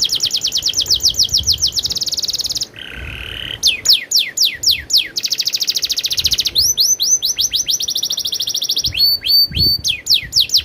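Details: Canary with a rolling song, alternating rapid slurred-note runs, a brief lower warbled phrase, dense buzzy trills and clipped high chips, delivered continuously and loudly.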